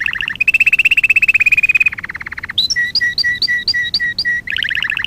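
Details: Canary song from a training lesson for teaching young canaries: rapid buzzy trills, a long rolling trill, then repeated paired whistled notes rising and dropping, ending in another quick trill.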